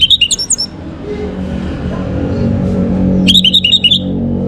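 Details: Orange-headed thrush song in the morning, played to bring birds into breeding condition: a quick burst of high, chattering whistled notes, then a low rumbling pause and a second, similar jumbled phrase. Steady low background noise.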